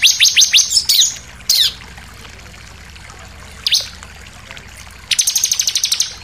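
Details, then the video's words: Bar-winged prinia delivering a vigorous 'nembak' (shooting) song with variations: rapid high trills and sharp downslurred chirps, a pause, a lone chirp, then another fast pulsed trill. "SUARA CIBLEK NEMBAK NGOTOT + VARIASI"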